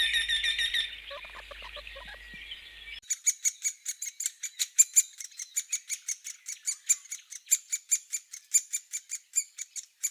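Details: Great spotted woodpecker from Spain, a hole-nesting bird. The first three seconds hold a different, hissing broadband sound. After that comes a fast, steady run of short, sharp, high ticking notes, about four or five each second, until the end.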